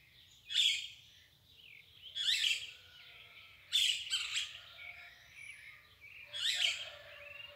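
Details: Dawn chorus of birds: four energetic, chattering song bursts, one doubled, with a high thin whistle and soft lower notes behind them over a faint rumble.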